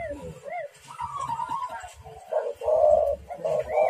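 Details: Spotted dove cooing as a lure to stir rivals into calling, in hoarse, rolling mid-pitched coos with overtones, several phrases overlapping and swelling louder toward the end, with faint indoor background noise.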